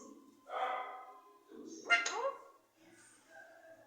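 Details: Talking parrot imitating human speech: two short voice-like utterances with a hoarse, nasal quality, the second rising sharply, then a softer murmur at the end.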